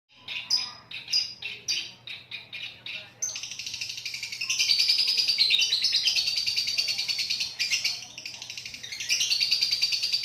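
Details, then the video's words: Lovebird giving a long ngekek trill: a few separate chattering notes, then a continuous buzzy rattling trill high in pitch running for about seven seconds with slight rises and falls. "Love bird ngekek panjang"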